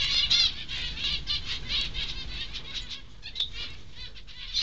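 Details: Zebra finch nestlings, a few days older than in an earlier recording, one preening itself, give a raspy, high, hissing chorus of quick repeated bursts.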